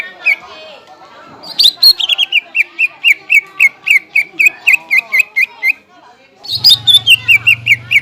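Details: Greater green leafbird song played as a lure to excite caged leafbirds: a descending series of sharp whistled notes, roughly three a second, broken by a pause, then a new falling run over a low hum.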